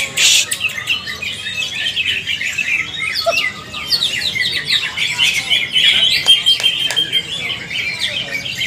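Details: Greater green leafbird singing during a shared training session, ngalas style: a continuous high chatter of short twittering notes and quick trills, steady and loud throughout.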